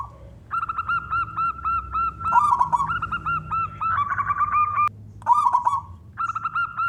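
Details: Male local wild-type zebra dove, a contest bird, singing to lure other doves into calling: bright cooing phrases of repeated clipped, bouncing notes, broken by short pauses, with a few quicker rolling trills between them.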